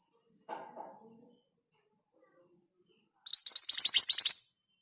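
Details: Scarlet minivet (mantenan gunung) in rolling 'ngerol' song style at steady speed: after a soft low rustle, a one-second burst of about nine rapid, bright upslurred whistles, high-pitched and evenly spaced.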